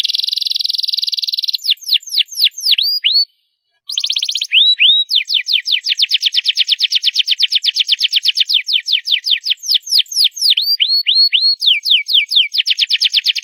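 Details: Canary singing loudly: a dense buzzing roll, then sweeping downward whistled notes and rising upslurred chirps, a brief silence, and long runs of rapid repeated slurred notes that keep varying in speed.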